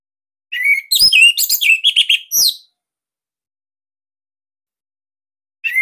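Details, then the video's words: Captive Orange-headed thrush, Bali type, used as a master to coax other birds into song: a two-second rush of bright whistles and buzzy notes, then silence, with a new phrase starting at the end. "Kicauan ANIS MERAH Ini Cocok Buat Masteran"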